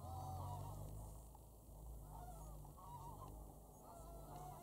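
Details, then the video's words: Geese in a large flock calling during take-off and landing, Wicken Fen and Burwell Fen, 23 September 2016, about 6 pm; steady chorus of honks with low rumble. "Lots of Geese take off & land"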